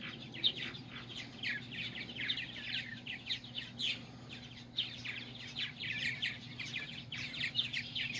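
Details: Purple martin parents at a colony, feeding babies on July 9, 2020, chatter continuously in rich gurgling and chirping phrases, several birds overlapping in a busy chorus over a low steady hum.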